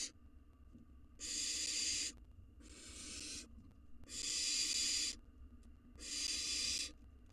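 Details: Wild barn owl chick in its nest box, hungry while swallowing a mouse, gives four drawn-out breathy screeching hisses, each nearly a second long, spaced by brief quiet gaps.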